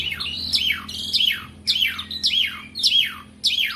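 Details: Asian pied starling singing without pause: a looped whistled phrase of sharp rising and falling notes, repeated about every 0.6 seconds over a faint low hum.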